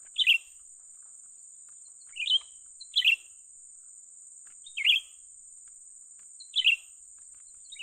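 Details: A young Grey-bellied Bulbul during trapping utters sharp single and double chirps every one to two seconds, above a steady thin high-pitched hiss.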